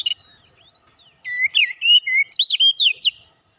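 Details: Oriental magpie-robin of fighter character in rapid song: after a quiet second, a fast run of loud whistled, swooping notes, rising and falling, about four per second, ending abruptly.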